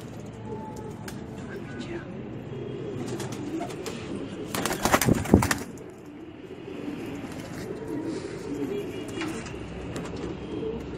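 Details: Racing pigeons giving low, rolling coos that overlap in a steady murmur, with a loud burst of broadband clattering, like wing flaps, near the middle.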